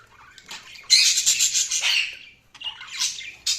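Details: Loud budgerigar chatter: a long harsh, buzzy warbled squawk of about a second, pulsing in strength, then a pause and a second scratchy burst with a sharp final chirp.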